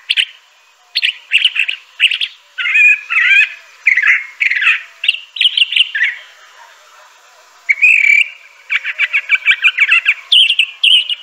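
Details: A Crissal thrasher delivers a long, continuous song of varied phrases: chattering bursts, slurred notes and rapid repeated chips, with a short gap near the middle and a whistled note before a fast closing series.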